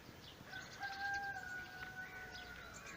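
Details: On a sunny spring morning among blossoming cherry trees with bees nearby, a rooster crows with one long, drawn-out, slightly falling note that holds for over two seconds.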